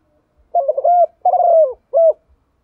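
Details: Spotted dove kept as a decoy, giving its morning song to call the flock: one three-part phrase of soft, hollow coos, a rolling opening note, a longer falling middle coo and a brief end note, with nothing else audible.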